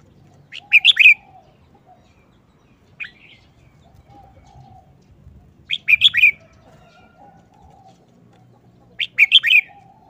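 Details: Red-whiskered bulbul kept in a cage, performing a short wild-style song with quick, choppy delivery: brief, loud, bubbling whistled phrases repeated about every three seconds over a faint low hum.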